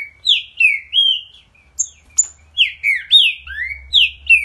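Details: Green-winged saltator singing vigorously: loud, clear whistled phrases of slurred notes that swoop up and down, about three per second, over a faint low rumble.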